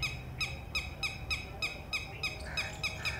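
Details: A female red-wattled lapwing gives shrill, sharp alarm notes, about three a second, from a distance as a warning to her newly hatched chick at the ground nest with predators possibly near, over a low rumble.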